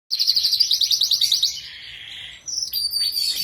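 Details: Kenari Rasmi Iran canary singing in gacor style: fast high trill of repeated chirps, then a sustained buzzy passage and a sharp, bright ending phrase.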